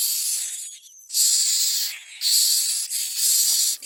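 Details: Common myna bringing food to its nestlings: three long, rasping hiss bursts, each over half a second, with a quick whistled slur before the second burst.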